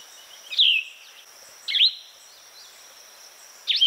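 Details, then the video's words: Plumbeous vireo song: three short, slurred phrases that swoop down and then level off, each about two seconds apart, over a steady high-pitched hiss. "Plumbeous Vireo Bird Sound, Bird Song"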